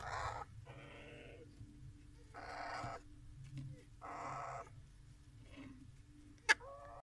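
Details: African grey parrot chicks giving harsh, raspy, hissing bursts about half a second long, repeated with short pauses, with a sharp click near the end and a faint steady hum beneath.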